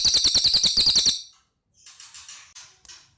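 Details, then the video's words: Cililin in lively full song: a rapid burst of shrill, high chirps, several each second, breaks off after about a second, then fainter scratchy high notes follow after a short silence. "Suara Burung Cililin Gacor"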